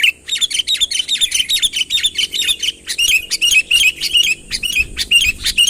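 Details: Sooty-headed bulbul calling vigorously to draw a rival closer, unaltered natural recording: rapid bursts of bright chirps and short warbled whistles, tumbling over one another almost continuously at a lively, uneven pace.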